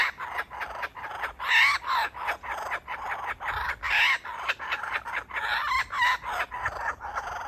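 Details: Dad kookaburra tempting his baby with food before feeding; sustained rolling laughter of rough, throaty bursts repeated about every third of a second, swelling and fading across the whole stretch.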